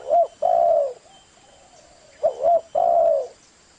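Spotted dove giving soft, low hollow coos in two phrases, a short note then a longer drawn-out one, with faint background hiss.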